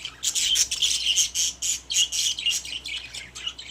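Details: Pet budgerigars sharing a cage give fast, harsh squawky chirps, about four notes each second, in a lively and uneven stream of chatter.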